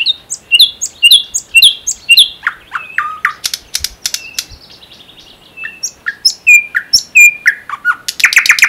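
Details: ['Common nightingale from the Unzha floodplain and Kologrivsky Forest reserve, Russia, sings repeated paired whistles, then sharp strokes, a short pause, falling whistled notes and a closing loud rattle.']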